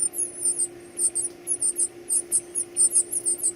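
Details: Hungry chicks being fed repeat sharp, high squeaky peeps about twice a second, slightly irregular, forming an insistent pulsing chorus over a low background hum.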